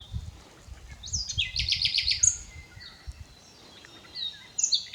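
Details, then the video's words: Common nightingale singing, unedited: rapid repeated notes and upward sweeps high in pitch, a short series of rattling pulses in the middle, pauses between phrases, low rumble of background noise. "Nachtegaal - Common Nightingale singing without Edit"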